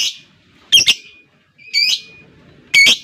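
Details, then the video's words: Lovebird heard in a rival-provoking ngekek recording, giving loud raspy high squawks, three in about three seconds, each a doubled harsh burst over a faint constant tone. "LOVEBIRD LAWAN LANGSUNG NGEKEK PANJANG"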